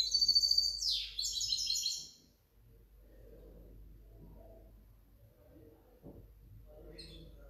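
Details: Hybrid goldfinch, 2019–2020: two seconds of loud, fast, high-pitched twittering ending in a descending sweep, followed by quiet room sounds and a faint chirp near the end.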